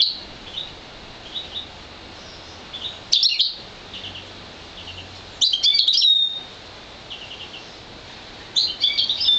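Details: Goldfinch and canary hybrid, one year old and bred from an intensive green fife canary, sings scattered quiet chirps broken by three loud, rapid, high twittering bursts with trills, about three seconds apart.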